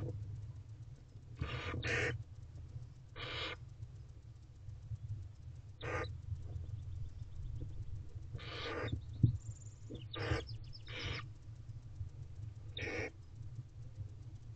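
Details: Hungry barn owlets, five young in a nest box, calling for food while waiting for the male to return, evening of 14 April 2023: repeated rasping hiss-screeches, each under a second, spaced irregularly over a low steady hum.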